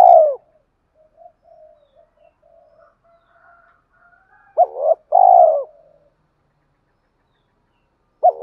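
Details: Spotted dove decoy calling to trigger fighting and attract a mate for a stubborn captive bird. The tail of a coo, faint low murmurs, then a paired note and long mellow coo, and another phrase starting.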